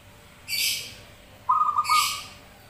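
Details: Zebra doves singing and answering each other: a short, stuttering, trilled mid-pitched coo in the second half, preceded and overlapped by harsh, hissy high-pitched bursts.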